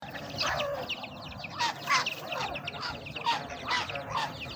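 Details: Chickens eating feed: rapid dry pecking taps with short soft clucks scattered through, over a busy low background.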